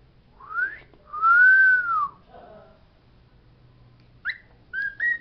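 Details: Pet parrot indoors singing the words it knows: a rising whistle, a long loud arched whistle, a soft low trailing note, then three short clipped whistles after a pause.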